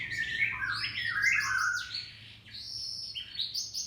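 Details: Canary in full lively song, used to provoke other canaries into singing; bright rising and falling whistles and quick chirping runs, briefly pausing before a new high phrase, over a faint low hum.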